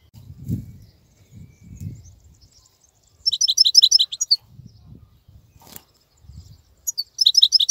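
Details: European goldfinch, wild type, singing actively while other birds are quiet in molt: two short bursts of rapid, high, liquid twitters separated by pauses, with low thumping and rumbling noises in the gaps.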